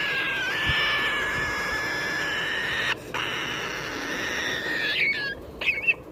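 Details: Pet Triton cockatoo giving a long, sustained, harsh screaming call with strong harmonics for about three seconds, then broken, wavering squawks near the end against constant low background hum.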